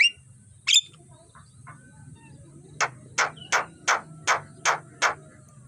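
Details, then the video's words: Javan myna in the morning, a master recording for training birds: a single high whistle, then after a pause a steady run of seven harsh, rasping notes about every third of a second. "Suara jalak kebo masteran pagi hari"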